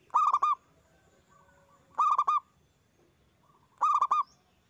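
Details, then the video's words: Zebra dove with a strong voice, recorded to stir other doves into song: three tight groups of four quick, ringing coos arriving about every two seconds, with faint chirping between. "Perkutut gacor suara besar bikin ON nyaut buka paruh"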